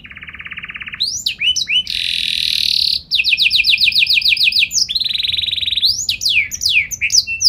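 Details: Canary in full 'gacor' song with 'cengkok istimewa' phrasing, used to make other canaries reply: a low steady trill, a harsh buzzy burst, a fast rolling series of clicks, then rising and falling whistled sweeps.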